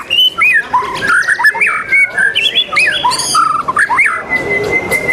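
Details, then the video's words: Competition song of a white-rumped shama, recorded 12 December 2021. It delivers rapid bursts of clear whistles, twisting slurred notes and short chips, ending on a long steady whistle, over a dense chorus of other birds. "Murai sultan salman lomba the legend murai batu nusantara 12 des 21"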